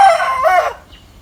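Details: Rooster crowing in the morning: one loud, harsh, harmonic-rich crow with a drawn-out wavering middle section, cutting off abruptly after under a second, leaving faint background quiet.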